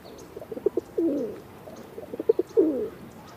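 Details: Two pigeon coo phrases, each starting with short clipped notes and ending in a swelling, downward-sliding throaty coo, about one and a half seconds apart, over a faint background hum.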